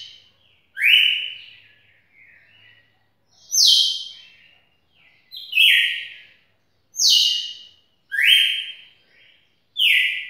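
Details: A red-cowled cardinal in a record-setting song bout of nearly two minutes sings bright, clear phrases of rich whistled notes with quick falling slurs, repeated every one to two seconds against a quiet background.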